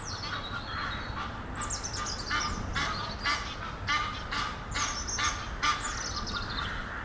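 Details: Courting in a treetop near Henley upon Thames, a pair of Egyptian geese give irregular harsh honks, some with falling squeaky tails, spaced around one to two per second.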